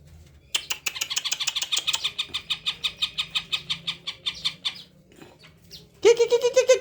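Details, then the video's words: Tame Greater green leafbird answering a close approach with isian-rich song: quick repeated high chirps that slowly fade, a short gap, then a strong lower rolling warble. "burung cucak ijo ini jinak klo didekati langsung bunyi isian melimpah"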